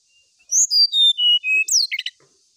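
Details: Brown-chested jungle flycatcher song for seeking a rival. Sweet whistled notes step steadily downward in a clear series, ending in a sharp falling slur and a few quick chirps.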